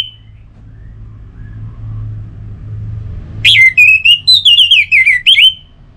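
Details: Orange-headed thrush singing loudly, played to coax other thrushes, especially males, into continuous singing. After near silence, one sustained run of sweet, wavering whistles rises and dips rapidly for about two seconds.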